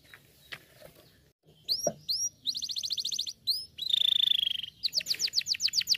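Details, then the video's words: Canary singing for chirping practice: after a faint, noisy start come a few upswept chirps, then rapid pulsed trills and a long, rolling, buzzy trill, with a steady low hum underneath. "the best canary sounds for chirping practice"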